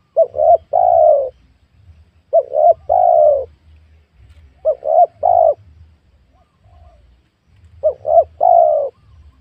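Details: Spotted dove calling repeatedly in a small oil palm plot on new farmland during luring of wild doves; four three-note cooing phrases roughly every two to three seconds, two short coos then a longer falling one.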